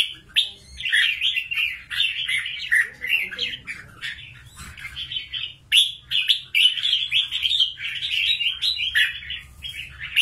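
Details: Wild-trapped fighting red-whiskered bulbul from Cao Bang singing steadily: warbled, slurred phrases strung together with little pause, plus a faint low hum behind.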